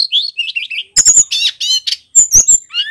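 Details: Male bar-winged prinia singing energetically at full volume: high, thin warbled phrases, then sharp clicking bursts and buzzy trills, ending in a rising whistled note.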